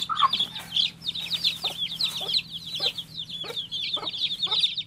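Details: Rapid piping peeps from a baby chick, high and wavering, accompanied by several soft tapping or scratching sounds spaced through the recording.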